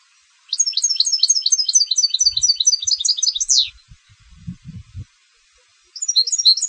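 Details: European goldfinch bred for song contests delivering a long run of rapid, high, rhythmic twitters closing with a descending sweep; faint low thumps and rustling follow before a fresh burst of chirps begins.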